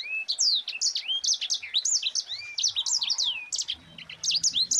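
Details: Sanger, the Mozambique canary, delivering its dense rolling 'ngerol rapat' song for tutoring other birds: a fast unbroken stream of bright, high whistles and downward and upward slurs.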